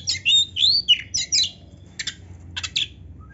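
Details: Kacer, the oriental magpie-robin, singing a rich, varied song: high, sweeping whistles and scratchy twittered notes in quick bursts, then sharper clipped chips, over a low background hum.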